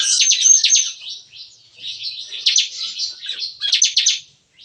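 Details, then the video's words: Captive bar-winged prinias in a breeding aviary cage sing lively morning song in the style called nembak-nembak, like gunfire: bursts of sharp, high, rapid chirps broken by short pauses, with a fuller burst near the end. "Nembak-nembak! Kicauan CiKris Pagi Hari"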